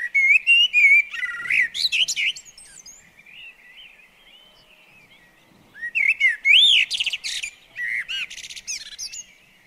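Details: Common blackbird at a garden bird table sings two phrases: warbled low flutey whistles rolling into high, chattering squeaks, with a quiet gap of soft distant song between them.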